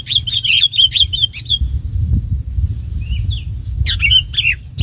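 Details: Bulbul serving as a trapping decoy, giving a chattering run of warbled whistles, then a pause and a couple of soft notes, before a further short burst; low rumbling noise throughout.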